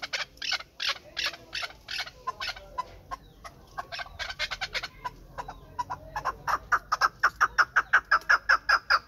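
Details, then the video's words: A Pamir chukar partridge, a hunting bird, starts with scattered, uneven harsh clucks. The notes then speed up into a tight, accelerating run of loud chuck calls, close to three per second by the end. "Кабки Помир"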